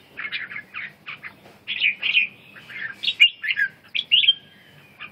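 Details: Red-whiskered bulbul singing a lively run of short, warbled, whistled notes, some rising and some falling, in quick irregular bursts with brief pauses between phrases; a faint low hum sits underneath.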